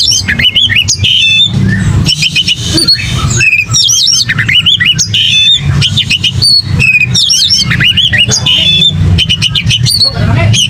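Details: Oriental magpie-robin giving an aggressive fighting song meant to provoke other magpie-robins into singing: dense run of loud whistled phrases, sharp clicks and rapid chatter with barely a pause, over a steady low rumble.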